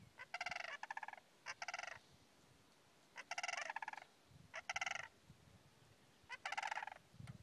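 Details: A greater sandhill crane at the wildlife refuge in Alturas, California, gives loud, rolling, rattled bugles in five bursts of under a second each, spaced irregularly over several seconds, with a quiet background.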